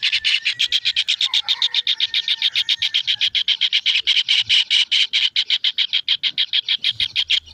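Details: Young kingfisher calling with rapid, rasping high-pitched pulses, roughly two to three per second and somewhat uneven in spacing, continuing throughout with only faint low background sounds.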